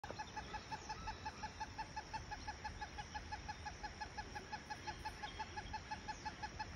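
Great hornbill giving a steady run of short, clucking notes, about three a second, over a constant background hiss.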